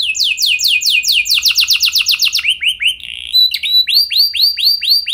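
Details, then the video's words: Canary performing a lure song used to get other canaries singing, with fast repeated falling whistles that speed into a rolling tour, a brief thin tone, then a series of clear, arched whistled notes. "Langsung Nyaut Gacor Dor Kenari Mana Saja Dengan Pancingan Kenari Lagu Mewah Ini"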